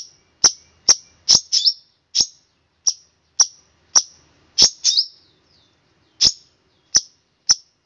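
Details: Master recording of a long-tailed shrike for training birds, 'tembakan kristal' style: crisp, high, piercing chirps, some doubled, spaced irregularly with short silent gaps.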